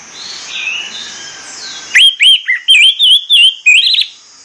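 An orange-headed thrush sings a quick run of seven loud, clear whistled notes, some rising and some falling, after two seconds of faint warbling in the background.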